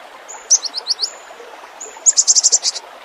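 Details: Cinereous tit song with full varied phrasing, used as lure and tutor recording: a thin high whistle, then quick bursts of sharp, very high chirps in two rapid series of about five notes each.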